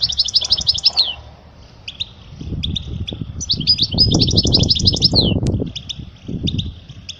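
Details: European goldfinch song for teaching chicks: two rapid, sparkling trilled phrases ending in a downward slur, separated by spaced single chirps, with low thumping noise beneath.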